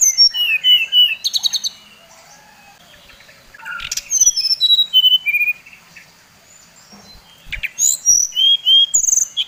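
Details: Brown-chested jungle flycatcher, Bali type, used as a lure to anger other birds: three bursts of fast, clear whistles, some steeply descending, some level, separated by short quiet pauses with faint rustling clicks.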